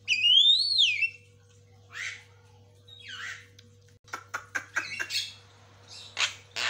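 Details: Lure and master recording of a white-rumped shama: a loud arching whistle opens, followed by soft raspy notes, then a quick string of sharp clicking chips. A faint electrical hum runs underneath.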